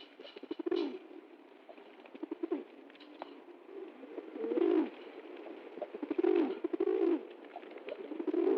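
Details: Cooing pigeon (kabutar) performing a joyful dance upon receiving food, its deep, throaty, rolling coos repeating irregularly about every two seconds, some louder bursts mixed with softer murmurs and faint clicks.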